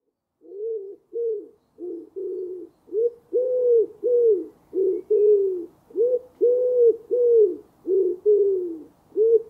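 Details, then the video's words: A common wood pigeon gives a long run of low, hoarse, rounded coos, each note briefly arching in pitch, delivered steadily with short pauses between. "дикий голубь ВЯХИРЬ - ГОЛОС"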